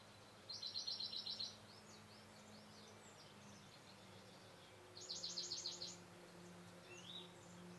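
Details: Male great spotted woodpecker, Camorritos, Cercedilla, 16 May 2009: two quick bursts of sharp, high, evenly repeated notes about four seconds apart, with soft other bird notes and a low steady hum between.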